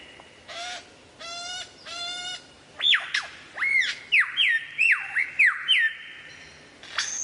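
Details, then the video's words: Lyrebird in a varied mimicking song: three harsh, buzzy harmonic bursts, then a run of loud whistled notes that swoop down and up, coming in quick irregular succession. "suara variasi burung lyrebird"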